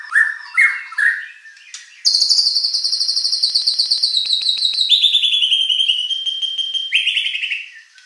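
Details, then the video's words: Shama song meant to goad a contest bird into replying: a few short whistled notes, then a long, very fast ringing trill that steps down in pitch partway through and ends with a rising whistled flourish. "shama bird beautiful song performance"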